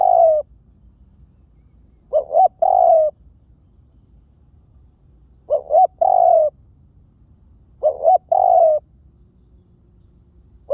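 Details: Repeated spotted dove coos used as a trapping lure call. Each phrase has two short rising hoots and then one long, gently falling coo, repeated roughly every three seconds, four times. Little else is heard.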